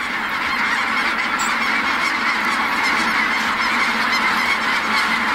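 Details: At Merced NWF a flock of snow geese takes flight, their massed honking loud and close, a dense nasal din with thin high whistled notes glinting through.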